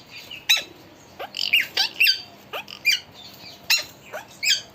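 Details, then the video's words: Talking pet parrot making a busy run of short, high, harsh squawks and chirps with quick falling sweeps, about ten calls in under five seconds, indoors with little background noise. "Talking Parrot"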